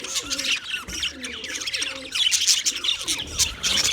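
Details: Budgerigars chirping as a flock: dense, high scratchy warbles and quick chirps run without a break, with soft lower cooing notes repeating underneath.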